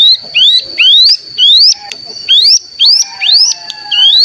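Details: ['Cigun (mountain ciblek) decoy song for stimulating other cigun to sing: clear rising whistled notes repeated roughly every half second, with a steady high tone running underneath.']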